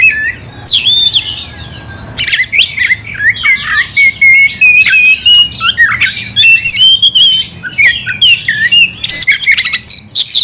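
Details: Oriental magpie-robin singing gacor to make another magpie-robin furious: a quieter opening, then a dense torrent of whistles, trills and harsh squawks that continues without a break.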